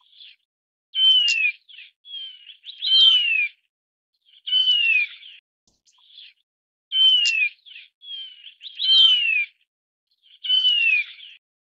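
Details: Taiwan Barwing, a Taiwan endemic species, repeating a clear downward-sliding whistle with buzzy side notes in regular phrases about every two seconds, six phrases in all, with no other sounds.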